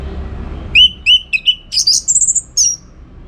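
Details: Orange-headed thrush singing lively for contest training: several even whistled notes, then a higher rush of buzzy, sharp chirps and a final high slurred whistle.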